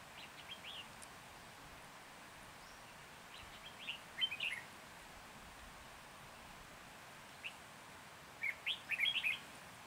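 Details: Red-whiskered bulbul used as a decoy to lure wild birds for trapping in Hòa Bình, Vietnam, 14 January 2021: short bright warbled phrases near four and nine seconds, separated by quiet background hiss.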